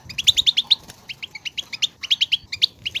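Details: European goldfinch song, used to encourage a goldfinch to sing: a quick, tinkling series of sharp, liquid chirps, about six to seven notes per second, in short clustered bursts with brief gaps.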